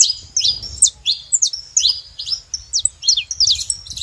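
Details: Saffron finch giving spaced, emphatic high chirps, each a quick downward slur, repeated roughly twice a second over a soft low background rumble.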